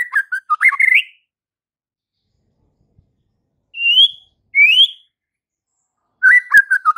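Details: White-rumped shama meant to provoke fighter males: a brief warbled phrase, then two separate clear rising whistles after a pause, and another quick warbled burst at the end.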